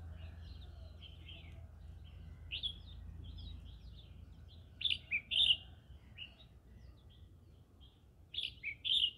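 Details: Green-cheeked conure in the middle of a rice field, singing in clusters of sharp scratchy chirps, two loud bursts of three or four notes about three seconds apart, with quieter twittering and low rumble around them.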